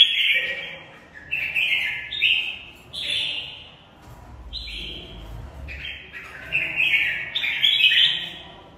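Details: Caged red-whiskered bulbul singing a fighting song, short stepped warbling phrases in quick succession, a pause with a faint low rumble, then more rapid phrases.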